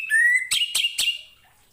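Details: Orange-headed thrush song used for training other songbirds: a clear whistled note rising slowly, then three sharp buzzy bursts over a held high tone, fading out.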